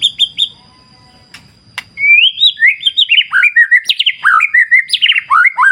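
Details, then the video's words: White-rumped shama song in a wild clear-river setting: a few short whistles over soft water rumble, a pause, then a dense burst of varied warbled, slurred whistles rising and falling in quick succession. "Terapi Murai Batu Ala Alam Liar Sungai Jernih"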